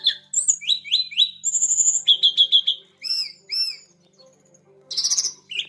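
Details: Blood-breasted flowerpecker song: high, sharp notes in quick bursts, with rising slurred whistles repeated three times, then short trilled series and arched chips. There are brief pauses and a faint low hum beneath.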